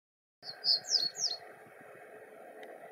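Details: A common reed bunting sings early on an April 2020 morning: a brief phrase of four high, sharp notes, each slurring downward about a third of a second apart, over a steady low background hum.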